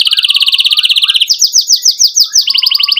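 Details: Emotional 'cuit cuit' song of a canary, used to stimulate young canaries to learn and to coax birds that stopped singing; dense high trill, then slower sweeping notes, then a rapid trill returns.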